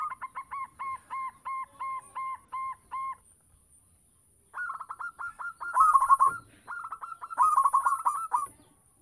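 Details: Local zebra dove singing to lure other doves: a measured string of nine paired low coos, a silence, then loud stuttering trilled phrases of rapid rolling notes.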